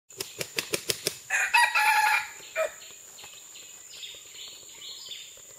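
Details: Red junglefowl recorded on June 12, 2011: a burst of six quick, evenly spaced wing claps, then a short, harsh, harmonic crow lasting about one second, followed by a brief final note and quiet background.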